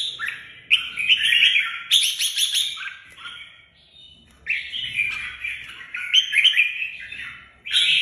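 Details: Red-whiskered bulbul giving lively warbled song, bubbling liquid whistles in connected phrases that dip and rise, a short quiet gap midway, then more rapid chattering notes.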